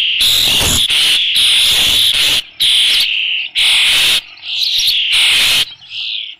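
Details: Osprey at the Dunrovin Ranch nest with a fish, 3 June 2018, afternoon: very loud, harsh, continuous screaming in long bursts, ending in a softer squeal.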